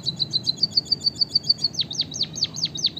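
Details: White-headed munia (emprit kaji, bondol haji) singing actively: a fast run of short high ticking notes, about seven a second, gives way to a row of steeply falling whistled sweeps.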